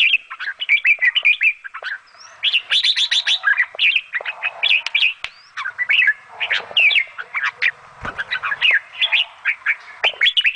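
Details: Bulbul parent feeding her chicks; dense run of short, sharp chirps and squeaky, slurred notes, fast and uneven throughout, with a few brief harsher bursts.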